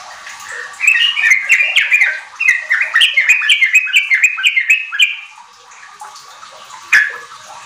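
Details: Kept Sooty-headed bulbul in energetic song, meant to prompt untrained bulbuls to call 'riwik' and sing rapidly: after a quiet start, a four-second torrent of quick slurred whistles, then silence and one loud final note.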